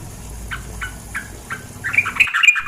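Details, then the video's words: Sooty-headed bulbul, female, near flowing water. Four soft, evenly spaced chips lead into a louder burst of rapid, ringing chatter. "terapi suara trukcuk betina + air mengalir"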